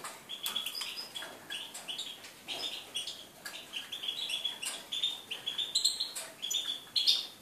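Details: European goldfinch twittering on 4 February 2018, a steady stream of high tinkling chirps and repeated bright notes growing livelier toward the end, over faint clicking.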